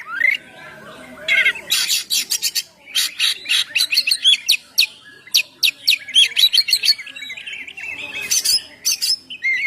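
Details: Oriental magpie-robin singing non-stop to lure birds and set them singing: brisk runs of sharp chips and clicks mixed with whistled flourishes, about two notes a second, with a loud harsh burst near the end.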